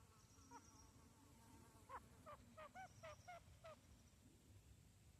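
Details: Female grey francolin (gora teetar) calling: a run of about eight nasal, harmonic notes, rapid and evenly spaced, packed into under two seconds over a steady hiss of background noise.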